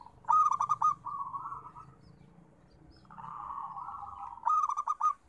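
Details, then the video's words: Zebra dove (perkutut), local bird kept for therapy-style singing: soft purring coos near one pitch, a stuttered burst of rapid notes at the start and end with a long rolling trill between. "Suara Terapi Perkutut"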